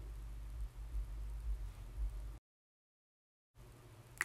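Low rumbling background noise cuts out to silence for about a second, then resumes with a single sharp click at the end.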